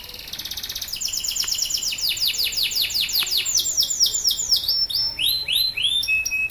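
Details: Male canary singing loudly, its song used to prompt other canaries to sing, a fast run of high chirps building into rapid repeated downslurred notes, then fast trills and rolling phrases.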